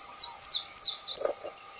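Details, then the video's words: Canário da terra, the saffron finch, gives a short burst of four loud, high, downward-slurred chirps in quick succession, bright and clean against a quiet background. "o cantador canário da terra"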